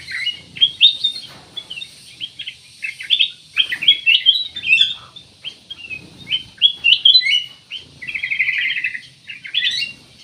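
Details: Black-naped oriole singing energetically, used as a lure to prompt other birds to sing: a busy run of sharp, high chirps and short slurred whistles, almost continuous for ten seconds, with a warbling burst near the end.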